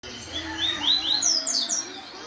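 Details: Double-collared seedeater singing in reaction to tournament-style recording played on a phone: series of high rising slurred whistles climbing in pitch, with background hiss.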